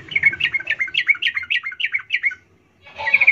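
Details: A yellow-vented bulbul gives a lively run of about nine bubbly, slurred chirps, roughly four per second, then a brief pause before a fresh burst of chatter; used as a lure to get other bulbuls singing.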